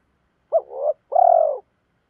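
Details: Spotted dove used as a decoy, calling to challenge rivals and lure wild doves. One phrase is heard: a sharp hooked coo that swells into a rough trill, then a longer, even, slightly pulsing coo. The background is quiet.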